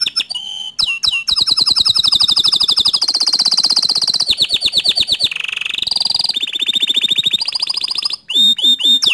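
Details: Bottle-green canary giving a tutor song for young and untrained canaries, loud and continuous, with rapid rolling trills, sweeping whistled slurs and sharp chips that shift pitch every second or two without a break.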